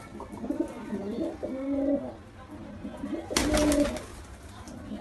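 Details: Angry young pigeon being attacked, giving a few low wavering moans and short flat held notes, interrupted midway by a loud scuffling burst.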